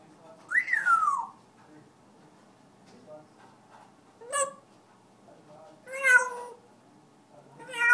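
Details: Pet African grey parrot singing indoors in a small room: a loud whistled note rising then sliding down, followed by short rising whistled calls at intervals of about two seconds, with faint low background hum.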